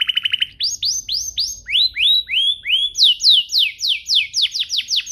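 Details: Canary song meant to make other canaries sing: a brief fast trill, then a steady series of rising whistled slurs followed by loud falling sweeps, each note roughly a quarter second apart.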